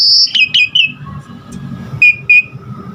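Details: Caged-bird lure song of an Asian pied starling: a high sustained whistle dropping into slurred notes, a pause, then two clear short whistles.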